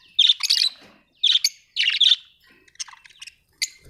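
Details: Budgerigar, described as Australian, giving bursts of harsh, buzzy chirps in short clusters with brief pauses between, plus a few thinner high notes toward the end.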